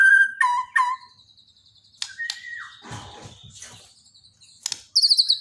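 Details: A white-rumped shama from Borneo, daily training material, gives a few loud whistled notes and sharp clicks, then softer chatter and a quick rattling trill at the end.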